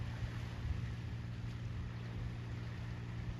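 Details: Coastal wind and low rumbling surf at Godrevy in July, with a steady low hum and no animal voices heard.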